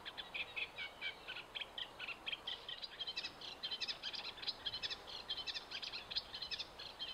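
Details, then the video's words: Reed warbler song from Hammer Pond at Knepp Wildland, a little fainter: rapid, jerky churring notes strung together without pause, with a soft background hiss. "Reed Warbler"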